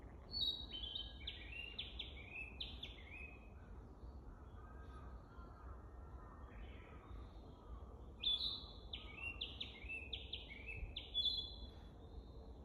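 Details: Narcissus flycatcher at Lake Teganuma, Japan, on 12 May 2023, practising its song, which it still sings poorly: clear whistled phrases of quick notes that step downward, given twice with a pause between, over a steady low rumble.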